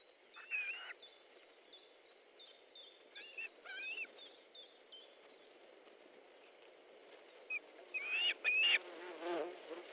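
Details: Osprey at a nest in Estonia on 14 July 2014 around midday during a fish delivery; short whistled, slurred calls near the start, a few faint notes mid-clip, then louder upslurred whistles repeated near the end over steady background hiss.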